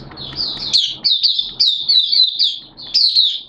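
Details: Singing Oriental white-eye kept for the bird hobby, 11 September 2022, wet erratic weather; short run of high, clear, downslurred chirps repeated in quick phrases, with a soft low rumble underneath.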